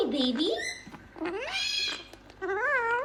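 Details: Gang-gang cockatoo talking, with speech-like harmonic phrases that swoop down and up, a long rising glide, then a wavy undulating phrase near the end. Indoors, no other sounds.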